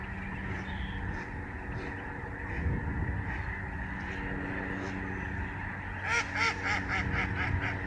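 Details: A flock of Lesser Snow Geese passes overhead at the Reifel Migratory Bird Sanctuary in Canada, November 2011. Distant massed honking builds to louder, sharper barking calls near the end, over a constant low drone.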